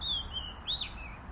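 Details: Robin calling: a few thin, high whistled notes in quick succession, a level note then a short rising-and-falling slur, over a low steady background rumble.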